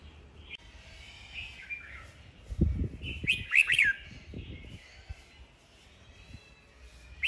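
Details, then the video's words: Red-whiskered bulbul in a singing duel: soft opening whistles, then a loud burst of fast slurred, rolling notes, with low rumbling and knocking noises underneath. "Chào mào hót đấu"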